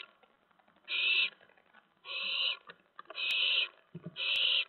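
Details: Owlets on the night of September 10, 2017, pouncing around while mice and a rat are delivered. Four broad, hissing screeches, unevenly spaced about a second apart, with scraping and bumping sounds between.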